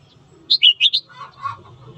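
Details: Red-whiskered bulbul morning song used to stir up fighting; a quick run of four clear whistled notes, bouncing up and down, followed by softer lower chattering sounds.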